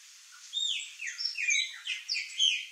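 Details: A flock of Chopi blackbirds in backyard fruit trees in Brazil sings together: loud, liquid whistles and slurred notes that rise and fall, overlapping in a busy, varied chorus over faint background noise.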